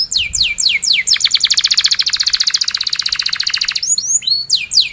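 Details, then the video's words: Canary singing loudly as a tutor for young birds; a few falling sweeps open into a long, even rolling trill of rapid pulses lasting nearly three seconds, then more descending sweeps. "Kenari gacor cuit cuit NgeroL, Pancingan kenari paud belajar bunyi,Pancingan Kenari BISU Susah Bunyi"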